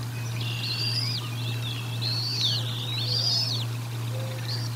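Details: Decorah North nest on 04 01 2022, a bald eagle during a feeding seen on the nest cam: several stretched, high, wavering whistles with shifting pitch, backed by a steady low hum.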